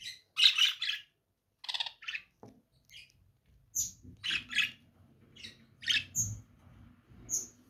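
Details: Lovebirds calling: shrill squawks and sharp high chirps in irregular bursts, with some thin whistled notes, over a low background hum.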